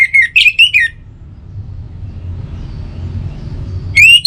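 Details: Orange-headed thrush song, used as a morning and evening lure to get other birds singing: a short burst of sharp, slurred whistled notes, a quiet gap with low hum, then another loud whistle at the end.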